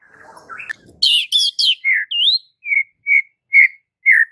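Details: White-rumped shama masteran, a song played to train caged birds: a soft noisy scrape, then bright whistled slurs and a run of evenly spaced short whistles about twice a second.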